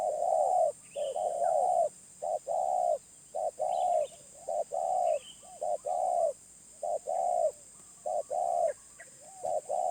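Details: Mellow, low coos from a wild spotted dove with a medium voice. Clipped notes and longer notes come in a steady, pulsing series, and thin high chirps from small birds sound now and then.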